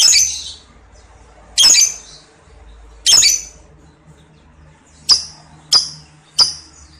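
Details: Lovebird giving single harsh, high squawks spaced one to two seconds apart, six in all, with a low hum in the background.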